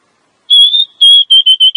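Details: A female Oriental magpie-robin's call, meant to make males sing and raise their breeding drive: one long level whistle, then after a brief gap five short, even whistled notes in quick succession.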